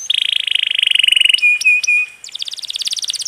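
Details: A canary delivers rolling song for training other songbirds, with trickling water added: a fast, even buzzy roll, then a few sharp clipped notes and a flat whistle, then a rising chain of quick repeated notes.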